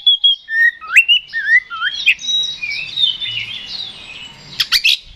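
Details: Oriental magpie-robin singing to provoke a rival into fighting: clear whistled notes sliding up and down, twisting phrases, then a fuller warbled stretch rising high, ending with a few sharp clicking notes.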